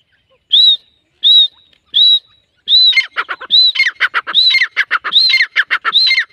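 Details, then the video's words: Grey francolin (teetar) female call: three separate rising whistled notes, then a busier run of whistles mixed with harsh, rapid, broken notes, like a second bird joining in a fast chattering reply. "Jangli Teetar ki Awaaz | Teetar Sound | Female teetar ki awaz"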